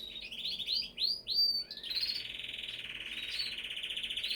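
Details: Canary song opening with rapid upward-sweeping chirps and pure whistles, then a long, fast, rolling trill held steadily to the end.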